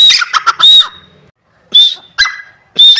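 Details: Grey francolin (Dakhni teetar) giving harsh, high squawking notes with a thin whistled tone, in short separate bursts broken by pauses of near silence.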